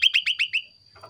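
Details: Common iora lure song to make others respond: five rapid, ringing downward-sweeping notes in a steady row, then a faint low rustle.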